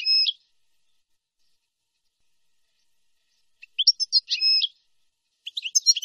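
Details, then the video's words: European goldfinch, nahrat and taqasim song for tutoring young birds: a drawn, nasal buzzy note, a long pause, then quick chirps around a second buzzy note and a closing burst of bright twitters. "شريط لغة حسون نهرات وتقاسيم"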